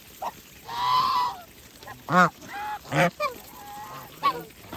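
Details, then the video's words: Geese on a farm at feeding time give a run of loud, brassy honks, some short and some drawn out, spaced irregularly over about four seconds. "Geese life with natural sound"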